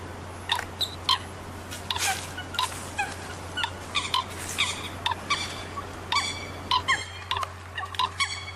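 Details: Common coot giving brief, clipped, honk-like notes that are strongly harmonic and come irregularly in quick succession. They sit over a constant low hum and a faint hiss of background noise.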